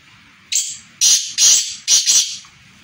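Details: Black francolin giving a rasping, scratchy call of four loud bursts after a brief pause. The first is short and the later ones are longer and broad, with the final pair run close together, heard in a quiet setting.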